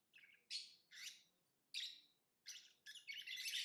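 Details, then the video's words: Lovebird giving shrill, squawky chirps in quick succession, a few notes a second. The calls end in a longer, continuous burst of harsh chatter over faint room hum. "Lovebird Singing & Chirping Sounds"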